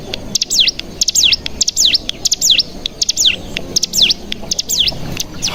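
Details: Lure calls of the bar-winged prinia for prompting untrained birds to trill. High, thin notes dive steeply and rebound, repeated roughly every half second in loose pairs and triplets.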